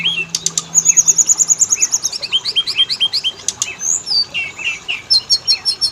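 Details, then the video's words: Oriental magpie-robin song used as a lure to get males and females singing: rapid varied phrases of high whistles, a long trilled note, quick slurred chirps and sharp clicks, with a faint low hum beneath. "Pancingan burung Kacer; jantan betina langsung bunyi"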